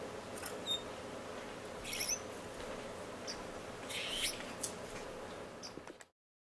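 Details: A male and female zebra (gold-breasted) waxbill on their second day in an aviary, 1 February 2015, give faint, thin, high squeaky notes in short scattered bursts over a steady low indoor hum.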